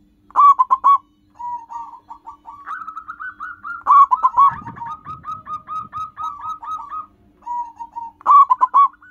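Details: Local wild zebra doves used as a lure sound: a loud clipped cooing burst, then long softer rolling strings of rapid coo notes, a second bird overlapping, with brief low rustling in the middle.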